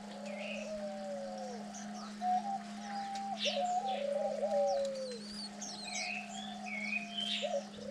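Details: Diamond doves kept as cage birds, both parents eagerly feeding chicks on their ninth day; a series of soft, sliding, downward coos, with scattered high twittering from other birds and a constant low hum behind.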